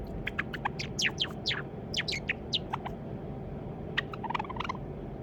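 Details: Young white Java sparrow, probably male, kept as a pet and raised from a chick, practising its song: a run of quick clicking notes and sharp high downslurred chirps, then a short buzzy rattle, over a steady low indoor hum.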